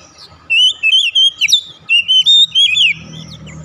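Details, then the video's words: Kacer (Oriental magpie-robin) lure song for a bird that has stopped singing: a quick, even string of about ten clear whistled notes with sharp slides, over a faint low hum. "memancing ncept Kacer macet bunyi langsung gacor"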